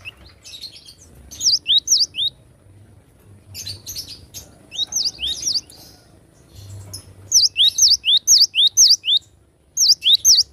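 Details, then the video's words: Cinereous tit singing in the wild: bursts of sharp, high downslurred and hooked whistled notes in quick repeated pairs and runs, with pauses between phrases and faint low background rumble. "Glatik batu suara asli alam liar gacor"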